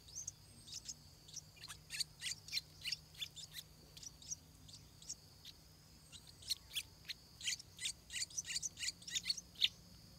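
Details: Stripe-throated bulbul chicks about to make their first flight keep up a busy stream of sharp, very high, squeaky chirps. The calls come in rapid runs with brief pauses, louder toward the end.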